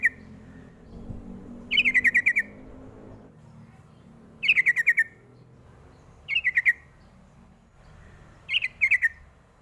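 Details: Sooty-headed bulbul call played to lure young birds into answering: four separate bursts of fast, clipped, bubbling notes, each lasting under a second, spaced about two seconds apart over soft background rumble.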